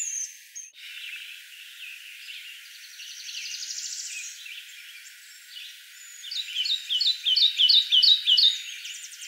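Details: Kentucky warbler in Kentucky's Land Between the Lakes in May 2014. A Northern Parula sings nearby with a rising buzzy trill. Then come loud rolling two-part phrases, repeated about six times in quick succession.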